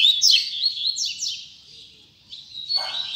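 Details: Double-collared seedeater song, tui tui zel zel style: sharp high chirps and fast descending slurs in a dense burst, a short pause, then another bright trilled phrase.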